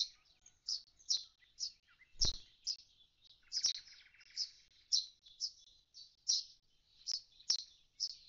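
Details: Common starling at a deserted nest box after the chicks fledged, uttering regular high chirps with a soft scratchy lower phrase and a single dull knock early on.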